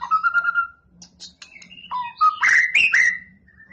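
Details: White-rumped shama, known locally as murai batu, singing while being prepared for a song contest: steady whistled notes, then rising slurred whistles and louder rich phrases, with a faint low hum underneath.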